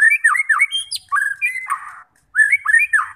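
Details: Song of a white-rumped shama, played to push fighting birds to sing: dense, varied whistled phrases with quick up-and-down slurs, a harsher buzzy note, a brief silence, then more rolling slurred whistles.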